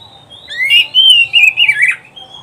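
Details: Oriental magpie-robin song used to teach pet birds: a long, sweeping whistled phrase rising from low to high, then wavering and falling in several loud pulses.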